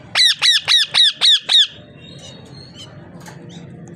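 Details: A parrot gives six harsh, bright squawks in a fast regular series of about four per second, then falls quiet apart from faint clicks and room hum.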